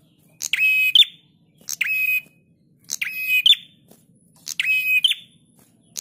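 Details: Prinia master recording for training cage birds: four identical phrases, each a high buzzy rattle layered over a level whistled note that ends in a sharp upward flick, spaced roughly every one and a half seconds, quiet background.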